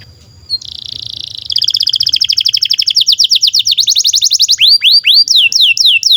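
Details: Canary in full song, played as training material for juvenile canaries: a steady high tone gives way to a dense buzzy rattle, then rapid repeated chips, closing with loud looping upward sweeps.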